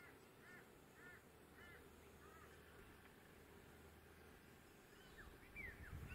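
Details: A galah (Eolophus roseicapilla) gives short, arched, squeaky calls, four in the first two and a half seconds, then a few sharper rising notes near the end, over steady low rumbling; Neureum Park, Queensland, October 2024.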